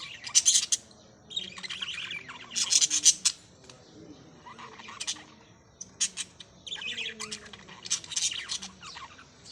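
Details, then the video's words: Parrots chirping: harsh, broadband squawking bursts in clusters, loudest near the start and around three seconds, with shorter scratchy notes between and a faint low hum underneath. "beautiful parrots | birds | chirping"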